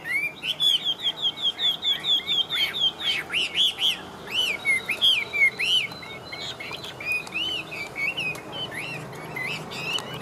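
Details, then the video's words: Caged Chinese hwamei fighting bird, trained for contest singing: a fast series of about fifteen identical looping whistles, evenly repeated, then varied swooping slurred phrases and sharp high notes. "Hót Tốt.Bản Lĩnh Hót Đấu Ok"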